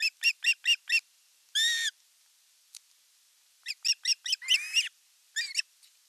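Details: Osprey nest in Satakunta, Western Finland, filmed 5 August 2024 as a fish is delivered and the older chick attacks its younger sibling. Bursts of quick high chirps alternate with longer strained squealing whistles.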